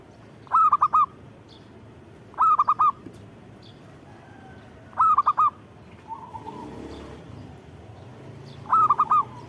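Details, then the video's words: Zebra dove song made of four repeated phrases, each a rapid set of four mellow cooing notes. A soft, lower coo is heard between two of the phrases. "Suara Burung Perkutut Gacor"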